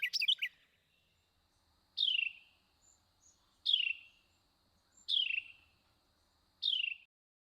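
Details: Carolina Wren, part of one individual's varied song repertoire: a quick burst of bright jumbled notes, then four loud, downslurred whistled notes repeated about every one and a half seconds against a quiet background.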